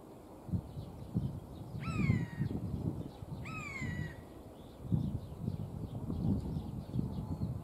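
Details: Singing Eurasian jay gives two loud, clean mewing notes, each sliding downward, about one and a half seconds apart, over irregular low thumping and rustling noise close by.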